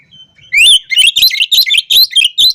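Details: Rival-provoking ngobra song from an Oriental magpie-robin. A brief soft whistle leads into a loud, fast series of sharp, chattering notes, several per second.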